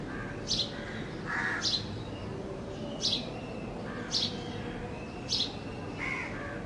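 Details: Sparrow recorded in Bangladesh: a series of quick high chirps roughly once a second, mixed with lower, fuller chirping notes from other birds, over steady background noise.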